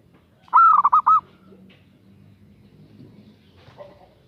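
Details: Female zebra dove calling to a male: a single phrase with a drawn-out opening note followed by a quick run of short, clipped notes, then quiet with faint low background rumble.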